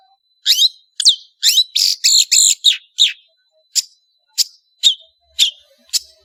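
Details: Long-tailed shrike (cendet), a prolific singer: a tight cluster of harsh chattering and slurred notes, followed by single sharp chips spaced about half a second apart.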